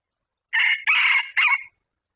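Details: During decoy trapping of wild red junglefowl, one crow rings out clearly: a brief first note, a drawn-out harsh middle section and a short truncated last note, all within about 1.2 seconds, with no other sounds.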